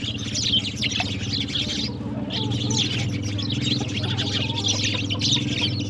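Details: Sparrows in the morning, drinking and playing with water, give dense, rapid high chirps that overlap continuously, over a steady low hum in the background.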